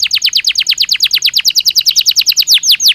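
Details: Belgian canary singing naturally, a loud, fast trill of bright, high, downward-sweeping notes repeated about eight times per second, steady and unbroken for the whole stretch.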